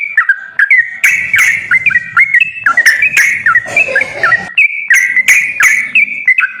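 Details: Sooty-headed bulbul song used as a lure to make a bird that rarely sings start calling: rapid chains of fluting whistles stepping up and down, overlaid by repeated sharp clicks and a soft rustling in the middle.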